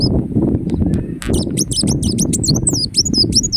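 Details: After a stretch of low rumbling noise, a ruby-cheeked sunbird from Indonesia breaks into quick high ticks and zigzagging, squeaky whistles that continue to the end.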